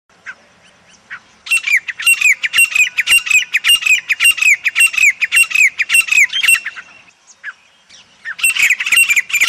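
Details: A desi (local) grey francolin calls in a loud, harsh, rapid run of high squeaky notes for about five seconds, pauses, then starts again. The background is otherwise quiet.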